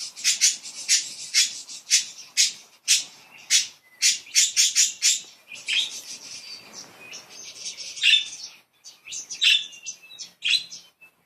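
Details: Several happy pet budgerigars chattering playfully. A fast run of sharp, scratchy chirps turns into busy warbling, with overlapping clicks and squeaks and no pauses.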